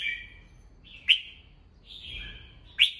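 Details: Red-whiskered bulbul in a cage, morning singing meant to train and excite other birds: two liquid warbled phrases, each punctuated by a loud sharp click, with a quiet gap between.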